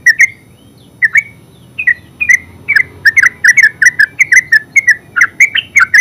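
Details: Full 'ngeropel' song of a yellow-vented bulbul, called terucuk in Javanese: a few spaced liquid notes, then a dense, energetic run of gurgling, bubbly phrases that fills the rest of the passage.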